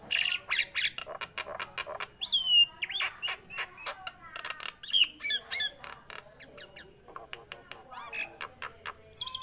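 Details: Nias hill myna singing vigorously: a rapid jumble of loud harsh squawks, clicks and sharp notes, with a few clear descending whistles near the middle, delivered in irregular bursts.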